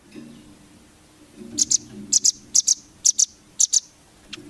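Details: Velvet-fronted nuthatch song used to coach competition birds: five crisp pairs of high, sharp chips spaced about half a second apart over a soft low background hum.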